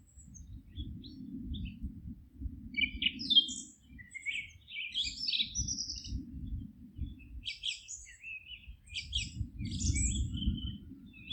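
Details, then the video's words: In a forest, several birds give bursts of high chirping and twittering phrases with brief gaps, while a low rumbling noise rises and falls underneath. "Forest relaxing sounds of singing birds"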